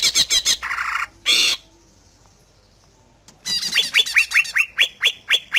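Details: Greater green leafbird song intended to make other leafbirds answer: rapid chatter and a raspy buzz, a pause of about two seconds, then a string of bright upward-sweeping whistled notes.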